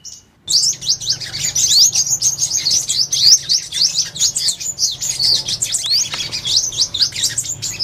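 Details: Purple-throated sunbird singing a fast, continuous stream of high, thin twittering notes and quick upward-sweeping chirps after a brief silent start, with a low hum underneath.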